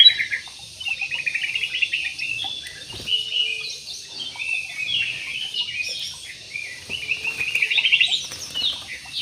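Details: Captive jumbo parakeets in an aviary in Indonesia keep up a nearly continuous twittering chatter of short harsh chirps and squeaky notes, many birds overlapping, with occasional soft clicks beneath.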